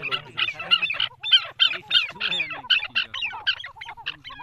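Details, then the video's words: Partridges fighting in a village: a fast run of harsh, scratchy call bursts, about one and a half per second and unevenly spaced, with low human voices murmuring underneath. "Partridge Fight in the Village"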